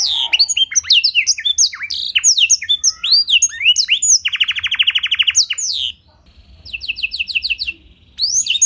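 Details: Tutored canary singing blackthroat-style material, used to coax other canaries into song; fast sweeping whistles give way to a long buzzy trill, then a pause and a second shorter rattling trill.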